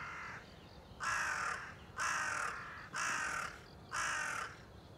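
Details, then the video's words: Crow recorded on 30 September 2020, giving harsh, hoarse caws, five in a row, each about half a second long and spaced roughly one second apart, over a quiet background. "crow ,カラス,까마귀"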